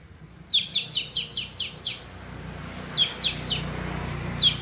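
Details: Long-tailed shrike mimicking a lovebird: a burst of seven sharp, high, downward-sweeping notes in quick succession, a pause, then three similar notes and a final one, over low background noise.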